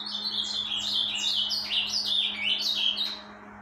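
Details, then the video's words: In breeding season, a rufous-collared sparrow sings a continuous string of bright, high whistles, each slurring downward and repeated rapidly for over three seconds, with a constant low hum behind. "tico tico cantando muito dentro de temporada"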